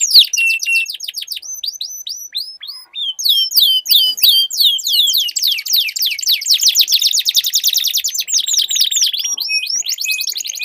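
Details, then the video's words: A canary duel of long rolling song: quick trills and bursts of down-slurred notes alternate with a dense buzzing roll and short held whistles, as several birds sing at once. "Duel Burung Kenari Suara Merdu Ngerol Panjang"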